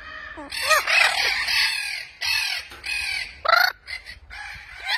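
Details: Captive Spix's macaws (Cyanopsitta spixii) on a breeding farm, including proven pairs and chicks, give harsh, grating screeches in quick bursts, several overlapping, with shorter rasping squawks between.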